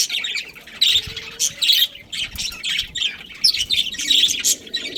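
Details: Budgerigar colony with a breeding pair, busy high squawks and chirps overlapping in rapid uneven bursts from several birds.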